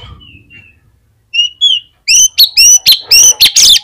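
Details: Lure song of an Oriental magpie-robin in full voice, to prompt other magpie-robins to sing: faint whistles, two sharp rising notes, then a fast series of very loud, distorted, buzzy bursts about every quarter second.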